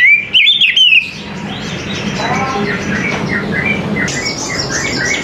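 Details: Oriental magpie-robin in the morning opening with a second of loud, wavering whistled notes, followed by quieter scattered chirps and trills from other birds over steady background noise.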